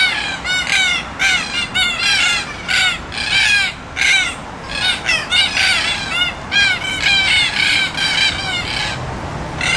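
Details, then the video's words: Red-tailed black cockatoo calls: loud, harsh, rolling notes with many harmonics, repeated in a steady series of bursts about every half second throughout. "Red Tailed Black Cockatoo"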